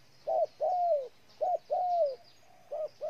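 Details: A spotted dove recorded in Ninh Thuận, Vietnam, coos twice in close succession, each time a brief hooted note then a longer, steady, slightly descending tone, and begins a third phrase at the end.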